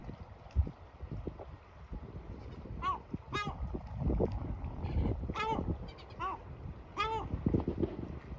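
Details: Adult male yellow-legged gull repeatedly screeching at active chicks until they retreat to their hiding place; four loud nasal wailing cries spaced about a second or two apart over low rumbling and shuffling.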